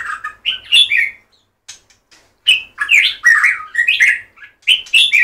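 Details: Energetic white-rumped shama (murai batu) song, a rapid run of rich slurred whistles and chattering notes rising and falling, with one short pause in the middle.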